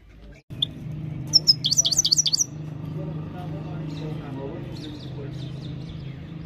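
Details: Himalayan goldfinch singing a training song: one short burst of rapid, high, tinkling chirps, followed by faint distant twitters over a constant low background hum.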